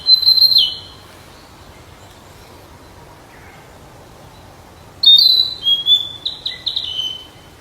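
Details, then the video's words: Flycatcher in the wild giving high whistled song phrases, a short sweet warbling burst at the start, then after a pause a longer run of bright, slightly descending whistles and quick notes over faint hiss. "Burung sikatan di alam liar"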